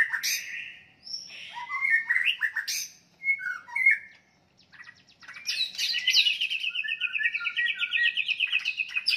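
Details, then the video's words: Fighting song of a White-rumped shama, used to provoke rivals: scattered chirps and a few pure whistles, a short pause, then a long rapid trill of chattering notes. "OTOMATIS NGAMUK murai batu tarung ampuh untuk menaikan emosi"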